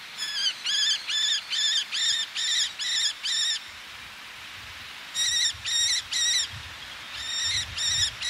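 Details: Male Eleonora's falcon calling close by while females answer from ledges, sea audible: bursts of sharp, ringing kek notes about four per second, with a pause midway, above a low wash of sea.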